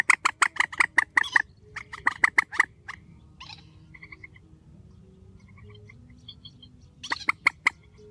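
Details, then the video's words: Grey-headed swamphen calling strongly at night: a fast run of loud harsh clucking honks, then a quiet stretch with faint distant notes, before another burst of rapid honks at the end. "Tiếng trích TRÍCH GHÉP SỐ 4, tiếng trích mạnh"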